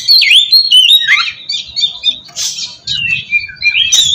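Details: Magpie-robin lure song intended to get other oriental magpie-robins calling back. Clear looping whistles, a burst of harsh rasp, then smoother sliding notes over a soft low rumble.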